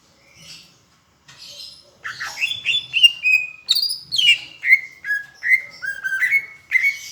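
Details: Greater green leafbird from Palembang in a tutor recording imitating Asian brown flycatcher: soft opening notes, then a run of clear whistled phrases dropping and rising, repeated about twice a second.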